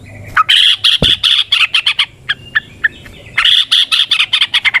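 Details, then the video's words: Yellow-vented bulbul singing in 'ropel panjang' style outdoors: rapid bursts of bubbly, chattering notes, a pause with scattered single chirps, then another fast chatter. A brief low knock is heard early on. "Trucukan GACOR ngalas ROPEL PANJANG suara alam"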